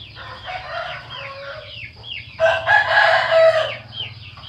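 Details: Trumpet-voiced crow from a rooster: a strong, rich, wavering call of just over a second rises out of a busy background of rapid, high, falling chirps from many small birds and a low hum.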